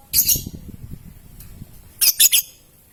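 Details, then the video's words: Young lovebird making a short shrill squawk, then after a pause a quick burst of three harsh high chirps in a row. "MEMANCING LOVEBIRD PAUD, PASTI BAKAL BUNYI NGEKEK NGETIK PANJANG SETELAH MENDENGAR VIDEO INI !!"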